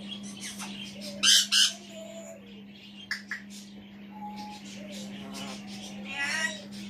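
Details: Indoor African grey parrot chattering to himself from a chair: two sharp loud squawks, then a short level whistle, a buzzy harmonic phrase and a rasping note, over a steady mains-like hum.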